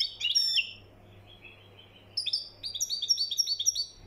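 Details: European goldfinch of Moroccan origin singing the mkhanter style: a short tinkling burst, a soft pause, then a fast run of repeated chirping notes, about three per second or more.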